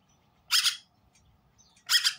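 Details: A wild grackle gives two loud, harsh, raspy squawks, each about a quarter-second long and spaced roughly 1.4 seconds apart, over a quiet background.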